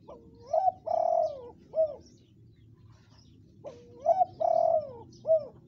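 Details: Lure call of a spotted dove: two clear phrases of rising note, drawn-out coo and brief closing coo, spaced about three seconds apart, with soft bird twitters in the background.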